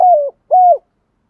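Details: A decoy spotted dove gives two low coos at dawn. The first falls gently and the second is steady with a dropping end, separated by a short pause.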